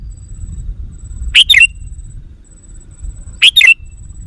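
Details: Sooty-headed bulbul lure call meant to attract wild birds: two bursts of bright, squeaky notes, each a sharp chirp followed by a twisting slurred pair, about two seconds apart with a faint high hiss between.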